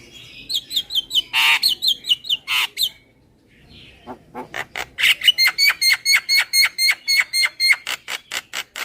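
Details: Javan myna lure: evenly repeated chattering notes with whistled overtones, two loud harsh rasps, a brief gap, then a long, steady, fast train of chattering calls.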